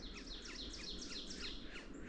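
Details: On a clear, calm spring farm walk at about 8 a.m. on 12 May 2026, around 3°C after a frost, two or more Yellow-bellied Sapsuckers call to each other overhead in forest, giving quick, overlapping, downslurred nasal mewing notes over a low rumble.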